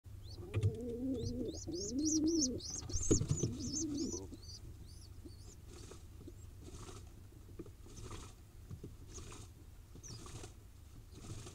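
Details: Wild pigeon nestling in Israel begging while being fed: a rapid series of thin high peeps over about four seconds alongside low warbling, throaty grunts, then quieter rustling with faint scattered peeps.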